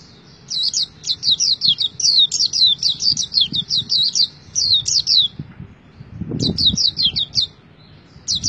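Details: Sustained pleci singing: long runs of rapid, bright, high chirps repeated evenly, a brief gap with a low knock, then the chatter returns.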